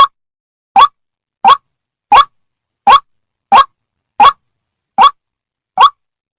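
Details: Indonesian-type white-breasted waterhen giving a steady series of brief, rasping notes, about one every 0.7 seconds, eight in a row after a short gap, with no other sounds.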